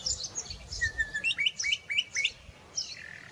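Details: Bokmakieries calling in the Karoo give a quick series of ringing, clipped whistles, rising and falling between high and mid pitch, about four notes a second, with higher chirps around them.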